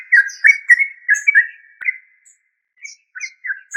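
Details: A yellow-vented bulbul pours out a rapid, warbling string of liquid notes that fades, then returns with a few spaced, upward-flicked chirps.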